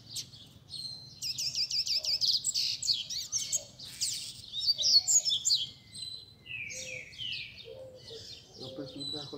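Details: Several caged Rusty-collared seedeaters sing together at a Sunday keepers' gathering, a warm-up chorus for a competition bird: dense, overlapping high twittering phrases with rapid trills and sweeping notes, and faint low background rumble.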